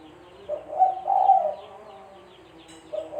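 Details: Low, soft cooing of a spotted dove, a call recorded as a lure for trapping: one complete phrase of a short note and two drawn-out hollow coos, then a pause and the start of the next phrase.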